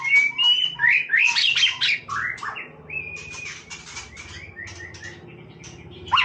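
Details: White-rumped shama singing casually: varied whistles and harsh notes, then a series of short repeated whistled slurs, over a steady low hum.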